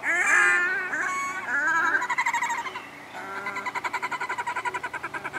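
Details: Red-necked grebes on Spirit Lake, Idaho, in May 2012, where they return each year: loud, nasal, wailing notes with a drawn-out braying quality, then a fast, pulsing trill of repeated notes that speeds up and fades toward the end.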